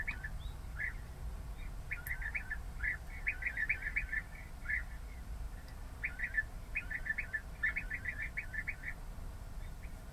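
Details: European bee-eater calls in short bursts of liquid rolling notes, grouped in clusters with pauses between, against a low steady background rumble.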